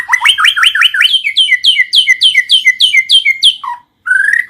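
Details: White-rumped shama singing, played as a lure to prompt silent shamas to sing: a fast run of hooked, upswept notes, about three per second, leading into bright repeated chirps, a brief gap, then a low note and a long rising whistle.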